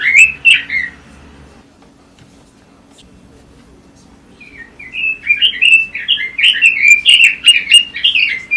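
Red-billed leiothrix song: a brief burst of warbled whistles, a pause, then a fast, rich run of rising and falling notes around four per second.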